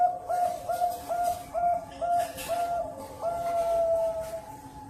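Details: Zebra dove at a bird farm in Cirebon, Indonesia, delivering quick repeated cooing notes with slight upward inflections, then a long sustained even tone toward the end.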